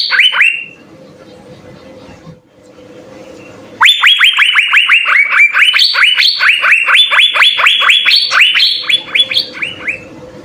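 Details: Asian fairy-bluebird in vigorous 'isian' song: three upswept whistles, a quiet stretch with low humming noise, then a long rapid run of loud rising whistled notes, several per second, before fading back to the hum.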